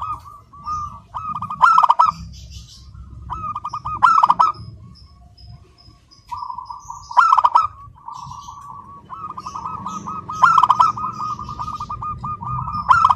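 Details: Local zebra dove singing continuously with a clear, crystal-toned voice: loud bursts of clipped staccato notes every two to three seconds, linked by a soft rolling trill of rapid cooing notes.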